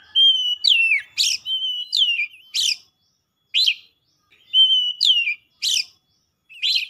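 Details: Oriental magpie-robin in agitated, emotional song, unloading its learned phrases. Drawn-out level whistles drop into falling slurs, each followed by a sharp rising chirp. The phrases come in clusters with isolated chirps in the gaps.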